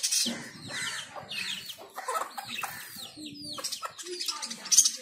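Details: Zebra finch pair bathing, giving nasal, stacked chirps in a steady irregular series with brief gaps, and a few low murmurs in the background.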